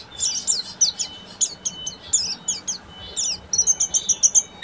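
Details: Full ngeriwik singing from a buxtomi Oriental white-eye: high squeaky slurred chirps in loose phrases, closing with a fast even run of repeated piercing notes.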